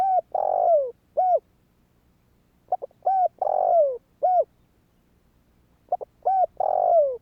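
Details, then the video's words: Spotted dove calling to prompt other doves: nearly three back-to-back phrases, each soft quick notes, a short coo, a long drawn coo sliding downward and a clipped final coo, about 1.5 seconds apart. "Chim cu gáy Thúc kích bổi , Tiếng cu gáy Thúc hay ,tiếng chim cu gáy kích bổi"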